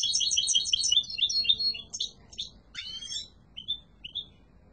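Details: Yellow mutation European goldfinch song opening with quick liquid twittering, then spaced sharp notes, a buzzy descending chirp and a few short thin whistled calls trailing off; steady faint low hum.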